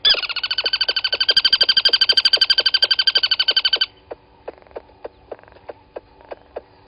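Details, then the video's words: Crested barbet recorded by a waterhole camera at Gowrie dam, Djuma Game Reserve, Sabi Sand, South Africa, 23 August 2020 at 07:34: a loud rapid pulsed trill lasting nearly four seconds, then sparse sharp clicks. "Crested Barbet"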